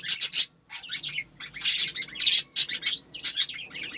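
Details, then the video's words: Chirping budgerigars kept on a farm. Short bursts of high, squeaky twitters alternate with brief silences, each burst holding several quick, bright notes. "বজিগর পাখির ডাক । পাখির কিচিরমিচির শব্দ"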